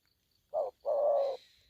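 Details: ['A single aggressive spotted dove phrase: a short low coo then a longer drawn-out hoarse coo, followed by faint high hissing.']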